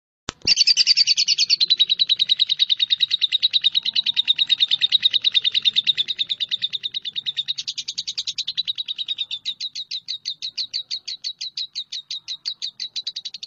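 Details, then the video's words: Lovebird calling with a long, rapid train of shrill, evenly spaced chirps, several per second, held steady for about thirteen seconds and becoming more separated and clipped toward the end; no other clear sounds. "SUARA BURUNG LOVEBIRD"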